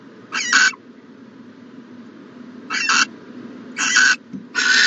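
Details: Owl in a nest box on the morning of 14 January 2020: brief harsh hissing screeches in irregular bursts, four calls with a long gap after the first, backed by a low steady hum.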